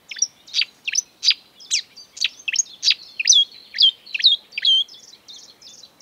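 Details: Marsh warbler, a singer that borrows calls of European and African birds, giving a steady string of sharp, high chirps and looping whistled notes about twice a second.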